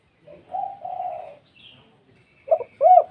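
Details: Spotted dove with a thick, big voice in its typical 'kuk 2' call, opening with a long sustained coo, a pause, then two short clipped coos at the end.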